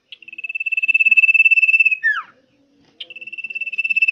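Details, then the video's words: Common iora singing loudly and vigorously: a long rapid trill of pulsed whistles near one pitch, swelling in volume, ending in a downward slurred note, then the trill starts again after a pause. "Cipoh Gacor Ngotot Volume Keras"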